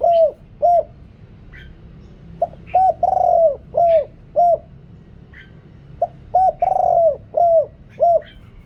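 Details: Spotted dove decoy with a large voice, calling wild doves, noise-reduced: three repeated cooing phrases of short arched notes around a long rolled coo, steady and mellow.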